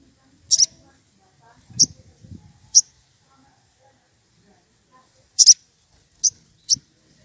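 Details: Wild sogon lure call, the bird excited and calling a rival: scattered bursts of sharp, very high double chips, six or so in seven seconds, with light low thumps between.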